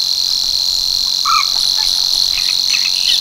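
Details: Savi's warbler reeling at Tancat de l'Illa, l'Albufera: an even, high-pitched buzzing trill held throughout, with a short whistled note from another bird in the middle and faint chips afterward.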